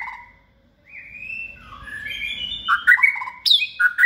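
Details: Second-season white-rumped shama, kept caged and raised from a nestling, trained for cage competitions. Long smooth whistled notes rise into a quicker, sharper jumble of bright phrases toward the end.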